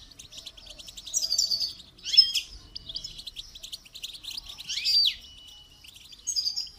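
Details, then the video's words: Clean goldfinch song during song training: rapid high twittering phrases alternating with louder descending buzzy slurs, in several bursts separated by short pauses, with a quiet background. "Motivational rewards for training goldfinch to song"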